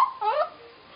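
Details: Hill myna vocalizing: a brief, one-second run of warbling, gliding tones that dip and rise, ending in a faint trailing note against a quiet background.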